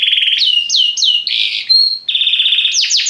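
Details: Varied Belgian canary song: a buzzy steady trill, then looping descending whistles, a harsh rattled tour, a pure held whistle, another flat trill and finally sharp rising-falling sweeps, all high-pitched and loud.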